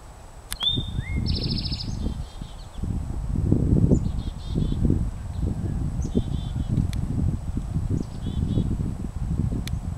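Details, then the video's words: A cowbird sings one brief phrase near the start, a low liquid gurgle rising into a thin, high whistle. Faint high chips follow under heavy wind rumble. "Lovely cowbird song"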